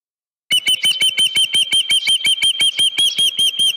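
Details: Osprey calling at the nest on Dunrovin Ranch, 31 July 2018, with a headless fish brought in the morning: a steady run of piercing, high whistled chirps, roughly three each second, starting abruptly after a brief silence.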